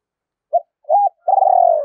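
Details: Spotted dove, a decoy bird calling to lure wild birds in to fight: two short coos, then a long buzzy trilled note that slowly falls in pitch. No other sounds.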